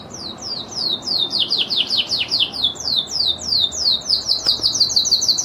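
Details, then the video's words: Lizard canary delivering a steady series of downslurred notes, about three per second, speeding into a tight high trill near the end, with light hiss behind. "INI SUARA BURUNG KENARI jenis LIZARD"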